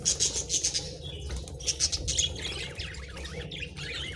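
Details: Colourful pet parakeets feeding: a run of rapid, evenly repeated high chirps, a pause, more chirps, then a soft wavering warble with light pecking clicks.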